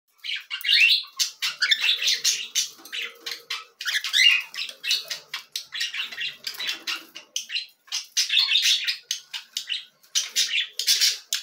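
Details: Cockatiel chicks being fed, giving harsh, raspy begging calls in rapid bursts, pulsing on and off throughout with short gaps, a dense chorus of hissing squawks.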